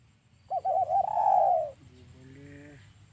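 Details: Lure call of a spotted dove for trapping: one long, wavering, mid-pitched coo that slowly falls away, followed by faint lower tones and a quiet background.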